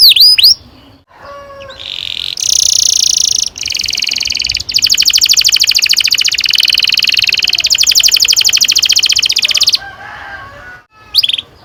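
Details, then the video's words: Canary delivering a long rolling song used as a lure for young birds: brief chirps, then sustained buzzy high trills in blocks with short breaks, ending in a few sharp chirps. "Kenari gacor NGEROL PANJANG cocok untuk PANCINGAN KENARI PAUD bikin BURUNG KENARI GACOR PANJANG"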